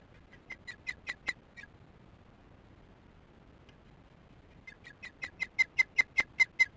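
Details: Osprey at its nest giving repeated alarm calls during an evening chick feeding in July 2015, filmed on a nest cam; two bursts of sharp, high chirps, about two per second, with a pause between bursts and the second burst building louder.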